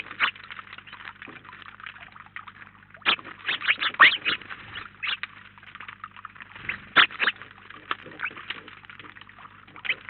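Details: House sparrows crowding a feeder in Collado Villalba, Spain, call in a soft background chatter broken by louder clusters of sharp chirps around the third, fourth and seventh seconds; a low hum runs underneath.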